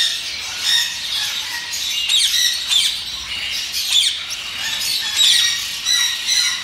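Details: Red siskin giving a continuous, high twittering song of fast chirps, buzzy trills and squeaky notes, overlapping as if several birds sing together.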